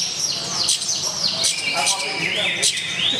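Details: At a Banyumas bird contest on 15 January 2017, a floor-placed long-tailed shrike delivers its fill repertoire. Clear high whistles with rising and falling sweeps, some notes looping upward, over a low murmur of crowd noise.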